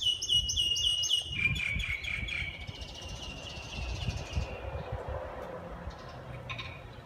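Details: Swinhoe's white-eye (Zosterops simplex), called green white-eye, nesting in a mini orange tree in a home garden, gives quick, thin, high chirps in a rapid run, then a long faint high trill that fades, over low rumbling background noise.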